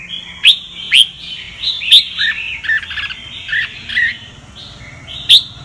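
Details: Red-whiskered bulbul, Sông Kon song style, for voice training of other birds: sweet slurred whistles at an even pitch, broken by loud sharp snapping clicks at roughly half-second to one-second intervals.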